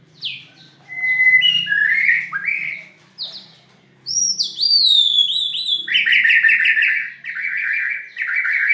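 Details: White-rumped shama singing strange-sounding, loud, continuous song: slurred whistles, then high sweeping notes, then long stretches of rapid, dense buzzy trills.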